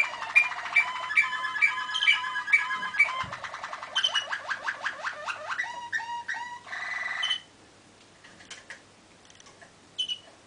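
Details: Malinois waterslager canary song, 2013: evenly spaced bright notes, then fast downward-slurred trills and knocking bubbling rolls, ending with quiet isolated notes after a near-silent gap.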